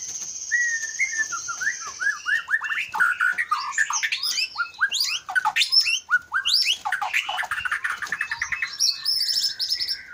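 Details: Caged male white-rumped shama from Aceh, Leuser line, a fighter-type contest bird now used for breeding, opening with a long high whistle then pouring out fast varied whistles, trills and mimicked phrases.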